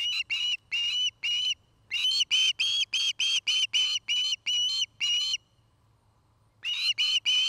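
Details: Osprey at a nest cam in Charlo, Montana, 5 September 2018, mid-afternoon, gives a run of short, shrill whistled cheeps, about three a second, pauses, then starts again; a faint low hum lies underneath.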